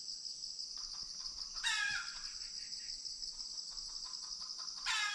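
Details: A junglefowl rooster in Indian tiger territory, calling repeatedly from one spot, gives two short, harsh, descending alarm bursts about three seconds apart over a shrill insect drone; such alarms may signal a nearby snake or tiger.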